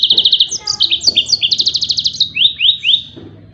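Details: Tembakan song of a yellow-fronted canary, suited for training other songbirds: an unbroken run of high, rapid trills and buzzy phrases that shift pitch, ending in three clear descending slurred notes.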